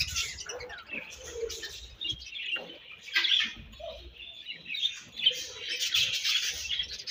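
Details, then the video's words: Chirping budgies at feeding time, a continuous jumble of high twitters, squeaky notes and buzzy warbles, with scattered clicks and soft low rustling noises. "𝑪𝒖𝒕𝒆 𝑩𝒖𝒅𝒈𝒊𝒆𝒔' 𝑪𝒉𝒊𝒓𝒑𝒊𝒏𝒈 𝑺𝒐𝒖𝒏𝒅𝒔 𝑾𝒉𝒊𝒍𝒆 𝑬𝒂𝒕𝒊𝒏𝒈"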